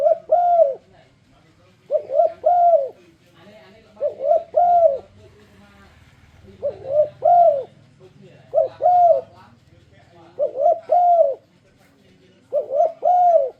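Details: Spotted dove luring song to make other doves sing along: seven steady phrases of deep, soft cooing, each a brief two-part coo followed by a longer swelling note, repeating every two seconds or so.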